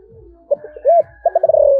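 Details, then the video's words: Spotted dove, thổ voice style, calling: clipped short notes and an arched coo, then a quick stuttering series running into a long sliding coo, with low background rumble. "cu gáy giọng thổ gáy gọi"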